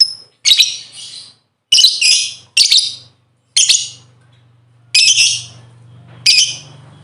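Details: Lovebird lure sound used to prompt other lovebirds into lively singing: six harsh, raspy, broadband squawks spaced about one second apart, each a short noisy burst with a fading tail, and a faint low hum beneath.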